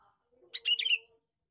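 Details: Lure call of a male sooty-headed bulbul, one brisk chattering phrase of bubbly, slightly rising notes, otherwise quiet apart from a faint low tone.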